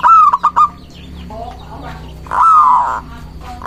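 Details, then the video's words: Local zebra dove singing to lure doves and provoke rivals: a quick series of clipped staccato notes, then a loud, long, slightly arching coo, then another note beginning at the end. Faint small-bird chirps sit behind it. "Perkutut lokal gacor mengundang lawan bunyi"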